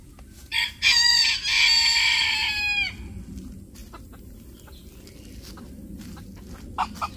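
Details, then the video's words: A Phoenix bantam rooster gives one bright, strained crow of about two seconds that ends in a falling tail, after a short lead-in note. Scattered soft clucks and faint rustling follow. "Bantam Phoenix Rooster"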